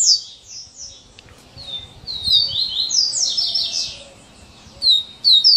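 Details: Coleiro singing in the "serra elétrica" style, with high rasping notes in a rapid run, a long sawing, buzzy middle stretch, and short sharp notes at the close.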